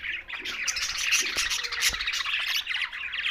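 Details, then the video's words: Short burst of green budgerigar chatter: dense, bright warbling and scratchy chirps from several birds, with a couple of faint clicks. "Green Budgies Talking"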